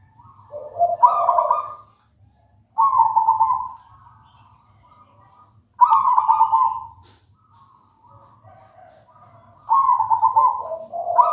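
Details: Actively singing local wild zebra dove: four sweet cooing phrases, each a short cascade of rolling notes that starts high and steps lower, spaced about three to four seconds apart with soft hum between them.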